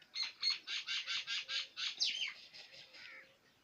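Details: Quail (batair) from Punjab, Pakistan, calling its prized kirk. About ten evenly spaced, rough, buzzy notes in a steady run, the last ones fading and slurring downward.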